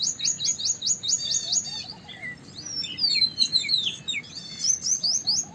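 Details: White-browed wagtail, also called large pied wagtail, with high, sharp rising whistled notes repeated quickly in a run, then a sweeping, warbled phrase and another burst of quick rising notes; soft lower notes in the background.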